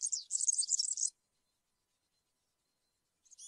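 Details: Short phrase of European serin campero song, for tutoring young serins: about one second of rapid, high, tinkling notes, silence, then the start of another phrase.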